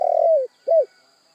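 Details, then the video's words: Spotted dove (tekukur) calling: a rolling, slightly burred coo that slides down in pitch, followed after a short gap by a second arched coo, both low and mellow, with a faint steady whine in the background. "Sekali Klik Burung Tekukur Anda Pasti Langsung Nyaut"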